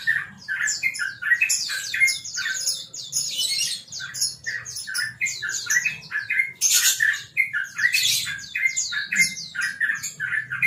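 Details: Champion trucukan, the sooty-headed bulbul, singing the relaxed ropel style: a long, dense stream of quick chirps, slurred whistles and scratchy bursts, continuing almost unbroken for ten seconds.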